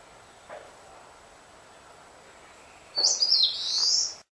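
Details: An Eastern crowned warbler, a hard-to-find bird, sings a single high phrase: quick sharp notes running into a long, buzzy, wavering ending, with faint background hiss and a soft tap earlier.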